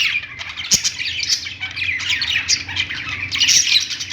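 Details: A flock of budgerigars singing in a pet store: an unbroken high warbling chatter with scratchy squeaks, a sharp click near the start and a louder rise at the end.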